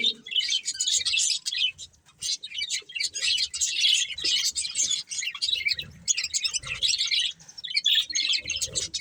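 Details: Colourful budgerigar breeding pair chattering almost nonstop: dense, scratchy, warbled chirps and twitters high in pitch, in bursts with only brief pauses, a faint low rumble underneath.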